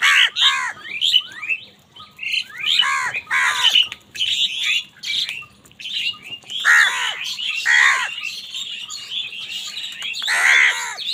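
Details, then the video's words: Angry crows fighting for food call in a run of harsh, hoarse caws, often two or three close together with short gaps, over busy high chirping chatter. "Crow birds unity anger and sound | Crow bird live crowing sound | Angry kawaa ki awaz naturally"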